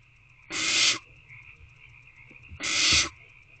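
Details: Wild owlets, nest box C, 3/2/24 at 6:28 pm, begging ahead of a food delivery: a pair of rough hissing shrieks roughly two seconds apart, with faint rustling between them.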